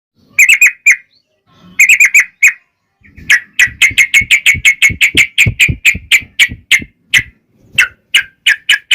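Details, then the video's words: Yellow-vented bulbul in lively fighting song with long rapid rolls, used as a lure to make other bulbuls sing back: short bursts of sharp chirps, then a fast, even run of about twenty clipped notes. "trucukan gacor TARUNG ROPEL PANJANG pancingan trucukan agar bunyi"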